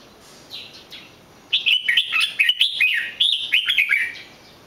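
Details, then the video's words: Red-whiskered bulbul: two faint notes, then a rapid, bouncy series of loud whistled phrases with quick upward and downward slurs. "chào mào hót cực hay"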